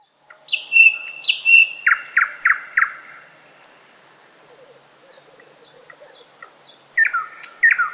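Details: A thrush nightingale (Luscinia luscinia) sings loud, pure whistled notes, then a quick run of four falling, slurred notes; after a pause of quieter chatter, a fresh phrase begins.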